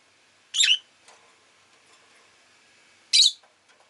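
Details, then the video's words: Rosy-faced lovebird letting out two strident, rasping chirps about two and a half seconds apart over a faint background hum and light rustles. "Lovebird Chirping Sounds"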